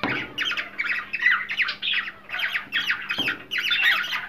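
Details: Rapid, raspy cockatiel squawks repeated almost without pause, a sound said to encourage breeding, with a faint low electrical hum beneath the chattering.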